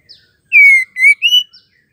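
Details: Female white-rumped shama call used to make males sing: three clear, loud whistles, the first long and gently falling, the second short, and the third slightly rising.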